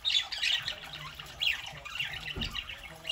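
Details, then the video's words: Pet parakeets on a Saturday morning making short, raspy chirps and grating squawks, loudest at the start, with a low knock partway through. "Parakeets Saturday morning"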